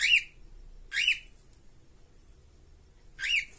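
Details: One of two caged cockatiels (Nymphicus hollandicus) gives three loud, harsh whistled calls that rise and fall, the first two a second apart and the third after a longer pause, over a quiet background.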